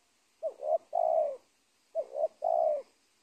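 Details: Wild spotted dove from a former corn garden near teak woodland, the area's dominant bird before being caught, repeating its soft coo-croo-crooo twice: paired short rising notes followed by a sustained, gently falling note.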